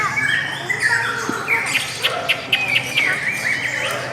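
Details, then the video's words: Sweet lovebird singing, a quick run of sharp squeaky chirps and slurred whistles, several clipped notes per second over steady chatter. "LOVE BIRDS suara yang indah dan Panjang"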